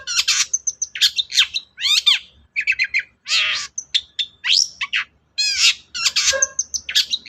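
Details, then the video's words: Long-tailed shrike delivering lively song as a lure for a quiet shrike: rapid alternation of rasping bursts, sweeping whistled notes and sharp chips, tightly packed with only brief pauses. "BURUNG CENDET GACOR DOR, MEMANCING CENDET DIEM AUTO NYAUT GACOR"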